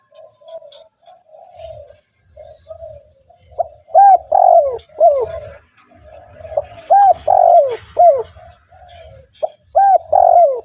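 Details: Repeated coo phrases of a spotted dove, used to draw in other doves: soft humming notes build into loud arched coos ending in a long falling note, the phrase given three times.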